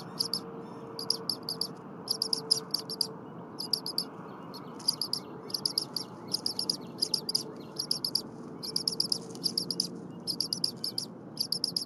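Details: Vocal bald eagle nestling at the Berry College nest, morning of 23 January 2022, keeps up incessant chirping while the mother prepares leftover prey from the pantry. Bursts of rapid, shrill, high chirps follow one another almost continuously over soft background noise.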